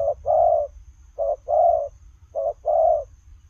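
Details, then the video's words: Spotted dove cooing as it runs, three short-long phrases of low throaty notes, each phrase about a second long with brief pauses, and a steady low rumble behind. "Gù Lèo rồng vừa chạy vừa gù"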